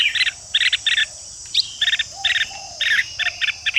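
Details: A red-whiskered bulbul gives harsh chattering bursts in quick groups of two or three, meant to provoke rival bulbuls into combative singing. A thin rising note sounds midway, and a constant high hiss runs underneath.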